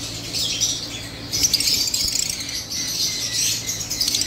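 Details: Lovebird chatter recorded 29 July 2023: a continuous run of shrill, high squeaks and buzzy chirps, with a low hum underneath.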